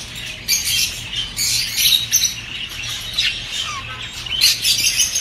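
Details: Budgerigars chattering as a group, sounds meant to encourage mating and get females laying: dense, overlapping high warbles, chirps and squawks in constant bursts, with a faint steady low hum underneath.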